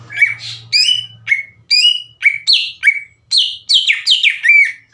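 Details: Song of a greater green leafbird used to excite other leafbirds: steady sequence of loud, falling whistled chirps about every half second, with a faint low hum at the start.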